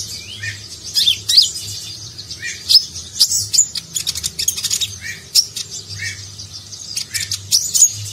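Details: Nagen-style song of a Van Hasselt's sunbird (kolibri ninja) used for training contest songbirds; high, sharp ticking chirps mixed with short lower down-slurred whistles, in irregular bursts.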